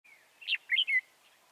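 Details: Wild-caught red-whiskered bulbul at Chùa Hương, recorded on 24 March 2018 during trapping. It gives one brief phrase of three bright, slurred chirps that bounce up and down, preceded by a faint thin whistle.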